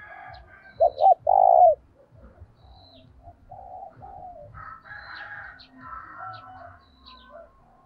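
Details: Spotted dove giving its luring call to draw in wild doves: two quick coos and a drawn-out falling coo, then softer coos with other birds chirping and low tapping in the background.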